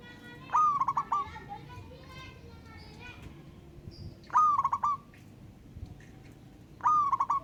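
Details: Zebra dove of a local wild strain calling an opponent: three stuttering coo phrases, a rising first note then rapid clipped notes, spaced about three seconds apart; faint chirps of other birds in the background.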